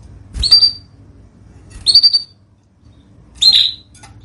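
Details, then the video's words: Canary from a master training recording for birds that have gone quiet: three short, high, sharp chirps spaced about one and a half seconds apart, with faint low background hum. "MASTERAN KENARI 002 Cocok untung burung macet BUNYI"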